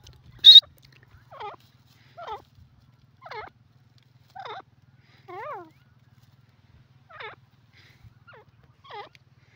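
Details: Teetar, a francolin, opening with one loud high piercing note, then a string of soft, wavering, curled squeaky notes roughly once a second, with a faint low hum beneath.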